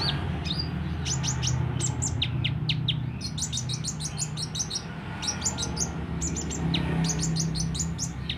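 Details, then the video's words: Sunbird, described as a bold, open-beaked, constantly singing bird, giving rapid high, thin chirps and short downslurred notes in dense bursts throughout, with a steady low hum underneath. "Burung kolibri ninja mental baja buka paruh gacor dor"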